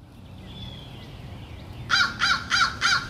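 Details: Crows feeding in a rowdy, greedy group; after quiet background noise, four harsh caws come in quick succession, each about a third of a second apart, loud and grating against a low rumble.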